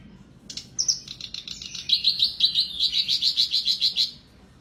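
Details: Black-browed reed warbler singing persistently, used as therapy for birds that stopped singing: an opening burst of squeaky notes, then a loud, rapid string of about a dozen harsh, rhythmic chattering notes, repeated steadily before stopping abruptly.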